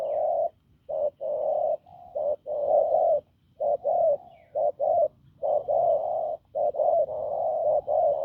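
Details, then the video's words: Hoarse, strong-voiced wild-caught spotted dove gives a steady run of low, rough coos, short notes alternating with longer held ones, almost without a break. "Bổi đồng khàn cứng gù"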